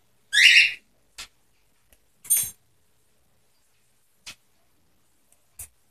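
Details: Pet cockatiels playing on a playground: two harsh, raspy squawks about two seconds apart, the first louder and broader, with faint taps and clicks between them in an otherwise quiet room.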